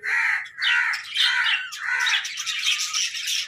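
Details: Happy pet budgerigars give harsh, squawky chirps in three or four looping bursts, each rising then falling, with quieter chatter filling the gaps between them.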